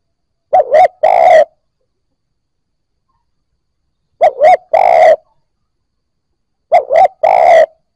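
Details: Spotted dove coo meant to get newly caught birds to start cooing: three similar phrases, each a quick doubled hoot followed by a drawn-out, buzzy coo, spaced roughly three seconds apart in otherwise silent surroundings.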